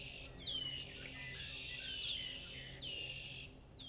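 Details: Red-winged blackbird song at a farm in Massachusetts, a harsh buzzing trill of about three seconds broken by short rising whistles, amid a chorus of other birds chirping in the background.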